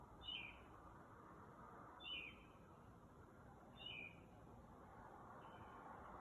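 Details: Bird calling outside a house at about 2 am at night; a thin, high, down-slurred note is given three times, roughly every two seconds, with a fourth fainter note, over a steady low background hum.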